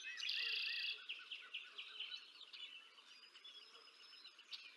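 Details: At the Decorah North nest, 20 April 2024, an adult female bald eagle feeds two eaglets while a nest camera records: a loud, rasping squeal opens, followed by a run of quick, high chirped notes fading away.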